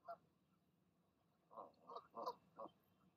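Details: Evening goose calls as a mother urges her goslings to jump from their nest: one short nasal honk, a pause, then four quick harmonic honks in a tight burst.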